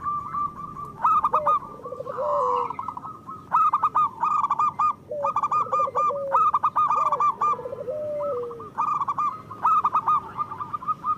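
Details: A chorus of local zebra doves, used to stimulate lazy or molting doves to sing. Loud, bubbling coo phrases repeat in bursts every second or two, several birds overlapping with rolling trills.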